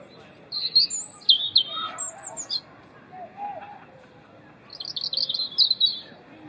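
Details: European robin delivering its loud, melodious winter song: two phrases of high sweet warbles and trills, the first with some lower liquid notes, separated by a short pause, over faint background hiss.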